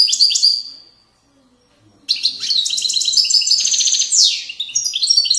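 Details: Goldfinch in the Moroccan widani song style, 2020: a brief trilled phrase, a pause, then a long unbroken stream of bright twittering, rattling trills and high descending tinkling notes.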